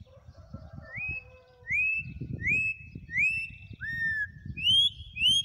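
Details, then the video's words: Wild song of a campo troupial: faint soft notes, then a series of clear, upslurred and downslurred whistles repeated about twice a second, with low rustling noise underneath. "CORRUPIÃO CANTO SELVAGEM"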